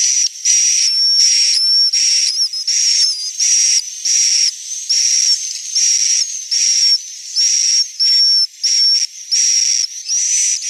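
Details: Central Sulawesi swiftlet roosting call: a steady series of high, hissing, buzzy chirps, each under a second, repeated about once a second, with a thin whistle that sometimes slides upward or downward.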